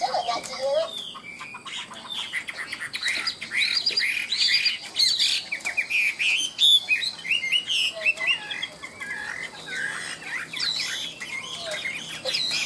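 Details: Chinese hwamei in "ngũ trường" song style, singing high from its cage: a long, varied stream of bright whistled notes, trills and sweeping slurs with rapid changes of phrase and quick repeated syllables.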